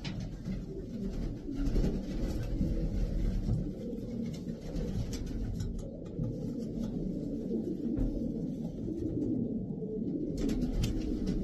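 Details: Many racing pigeons give steady low, murmuring coos that blend into a continuous rumble, with occasional clicks and rustles from the birds moving.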